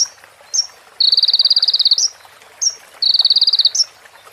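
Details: Sunbird (konin) song from a training recording for other birds, said to carry female prinia and ciblek phrases: high buzzy trills lasting about a second, separated by short sharp upslurred notes, against a faint hiss.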